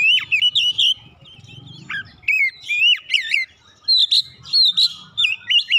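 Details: Song of an Oriental magpie-robin (kacer), meant to prompt a lazy bird into full song: rich whistled phrases with swooping slurs and clipped chirps, a brief pause, then repeated looped notes; low murmur underneath.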